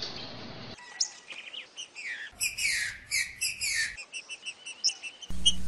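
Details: Green-winged Saltator singing loud, rich phrases of whistles and bright notes in quick bursts, with low background rumble and abrupt cuts between recordings; used to stimulate a caged saltator to sing.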